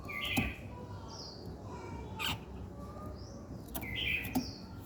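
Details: Morning birdsong with bright high chirps and upslurred whistles, a few rough scratchy notes, and occasional knocking clicks against a constant low rumble.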